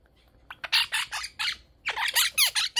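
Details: A male pet monk parakeet, while playing and shredding tissue paper, gives a rapid run of about a dozen harsh, raspy squawks, short and high, coming several times a second with brief gaps.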